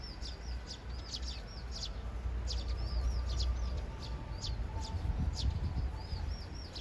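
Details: Eurasian tree sparrows courting in a threesome, two suitors chattering excitedly at one bird; quick high chirps and arched twittering notes, roughly three per second, irregularly spaced, over a persistent low hum.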